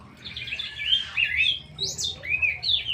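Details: Straw-headed bulbul (cucak rowo) singing: a run of rich, slurred warbling phrases that dip and rise, with a brief high upward sweep in the middle, loud and close against a low background hum.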